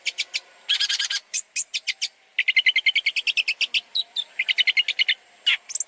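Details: Long-tailed shrike song used for training other birds, a dense fast stream of varied chirps and harsh notes, many short bursts in quick series with brief pauses, mostly high-pitched.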